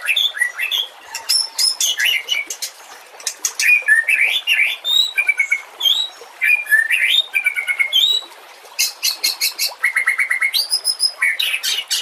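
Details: White-rumped shama singing for use as a master recording for other songbirds. Long, busy song of high trills, buzzy chatters and whistled slurs in rapid succession, with one brief pause near the middle.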